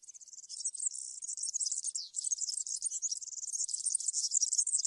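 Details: European serin song in the field (campero) style: a sustained, sizzling, rapid jingle of high notes, slightly wavering in pitch, continuing for the full five seconds over a quiet background.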